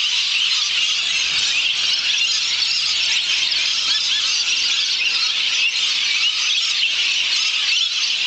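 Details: Hundreds of lorikeets gather in trees at dusk, around 5.30pm, in Maryborough, Queensland, giving a dense, unbroken, extremely loud chorus of shrill, high screeches and squeals, many calling at once with no pauses.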